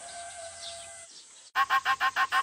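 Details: Pet myna at home making a laughing sound, which its owner hopes precedes talking; after a low steady hum, a loud cackle of about eight rapid, harsh, evenly spaced bursts.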